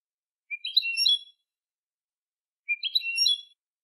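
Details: European goldfinch song used to train young goldfinches: two matching short phrases of bright, liquid twitters, each under a second, separated by about two seconds of silence.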